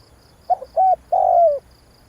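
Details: Spotted dove used as a decoy lure: a single phrase of a short stuttered note, a flat hoot and a long, low, gently falling coo.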